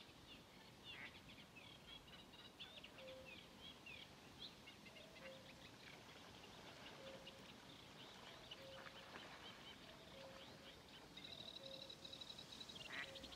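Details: Sedge warbler song at Mingen, Njurunda, 12 June 2023: rapid chattering of scratchy, buzzy notes and short trills, with a common cuckoo's low two-note cu-koo repeated about every second and a half in the background.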